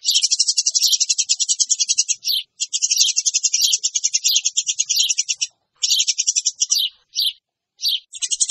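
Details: Eurasian tree sparrows giving noisy, high-pitched lure calls: dense, rapid runs of sharp chirps, many per second, in bursts of one to two seconds with short gaps and scattered single chips.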